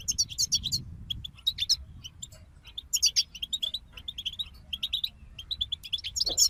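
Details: European goldfinch group song, bright tinkling twitters in a quick opening burst, sparser chirps in the middle, then lively trilled phrases and a loud, buzzy slurred note at the end.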